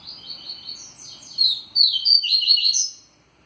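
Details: Caged-style double-collared seedeater singing a vigorous tui-tui song: rapid, high, twittering phrases of short slurred notes, building to louder, sharper chips in the second half, with a faint low hum underneath.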